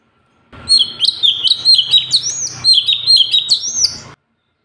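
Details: Sooty-headed bulbul singing, a recording meant for teaching other birds: a fast, unbroken string of loud whistled notes with bouncing, slurred chirps and high squeaks, lasting about three and a half seconds.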